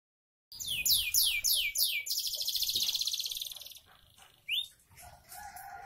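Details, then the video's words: Canary singing in the continuous 'bocor' style, a diligent singer: a run of loud, high descending whistled sweeps about four per second, then a fast buzzy trill, a pause and a short rising note. "Kenari bocor rajin"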